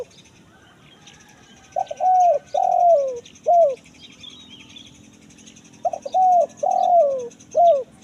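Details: Wild-bird lure of a spotted dove in the kuk 1 mersik style for forest use: two coo sequences with clipped starts, a long slurred descending coo and a short final coo, over a faint steady hiss and distant chirps.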